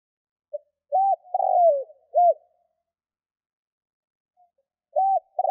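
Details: Spotted dove cooing to attract wild doves: one full three-note phrase with a long falling middle coo, a quiet gap, then the start of the next phrase.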